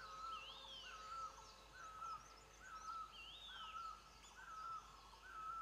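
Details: Long-tailed Broadbill in a walnut tree during nesting season at a Himalayan sanctuary, flicking its tail: short whistled notes about once a second, with higher rising whistles and faint chatter from other birds, Himalayan Barbet calling.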